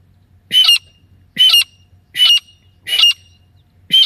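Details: Female grey francolin calling, a recording used by hunters as a lure: loud, harsh, squawking notes with a ringing tone, five bursts spaced roughly a second apart over a faint low hum.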